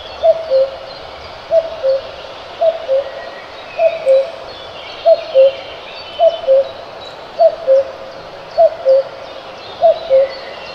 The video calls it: Cuckoo Sound